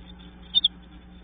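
A chickadee gives two quick, thin, high-pitched notes in close succession against a faint low background hum.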